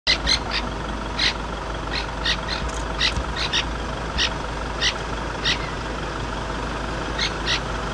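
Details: Francolin alarm calling at a leopard sighting: harsh scratchy notes in irregular bursts over an idling vehicle engine; such alarms often signal a nearby leopard, usually on the ground when the francolin calls from a tree.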